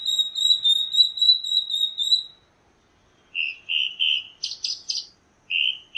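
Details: Chalk-browed mockingbird song: a fast series of clear, piping whistled notes repeated evenly for two seconds, a brief pause, then lower warbled phrases mixed with harsh buzzy bursts.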